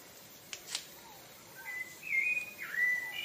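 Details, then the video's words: Rufous-bellied thrush (sabiá-laranjeira) from Brazil singing: after a couple of sharp clicks early on, clear whistled phrases follow in the second half, steady and slightly wavering notes with a brief dip, over a soft background hiss. "Canto do Sabiá Laranjeira"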